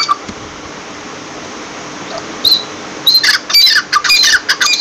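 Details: Near silence with faint hiss leads to a single high whistle, then a partridge bursts into fast, harsh, rasping squawks over the last two seconds.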